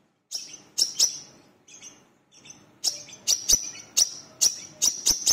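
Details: Lure recording of a brown-throated sunbird, locally called wiceh or manggar, in full song. Piercing high chirps come singly and in pairs, irregularly spaced, with a few softer high notes between them.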